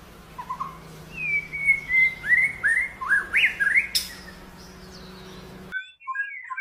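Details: White-rumped shama singing a run of bright whistled phrases with sweeping rising and falling slurs, about three notes per second, before the sound cuts off abruptly near the end.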